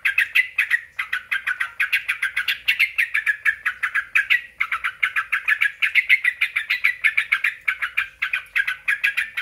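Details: Sooty-headed bulbul song meant to provoke other bulbuls to answer: long bursts of quick, buzzy chattering notes broken by two short pauses, the rhythm fast and slightly uneven.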